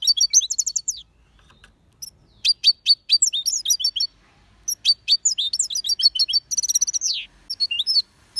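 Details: European goldfinch singing a lively, continuous twitter of bright high notes, quick slurred chirps and trills with brief gaps. A faint low rumble sits underneath.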